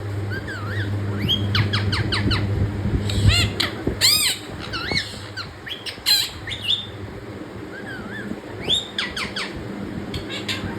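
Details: Pet parrot giving a run of short harmonic squawks and rising-falling chirps, some in quick bursts and others spaced a second or two apart, over a steady low electrical hum.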